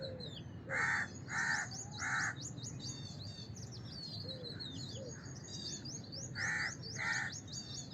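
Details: A house crow gives three harsh caws in quick sequence, then two more later, against a dense chorus of high, rapid chirps from other birds.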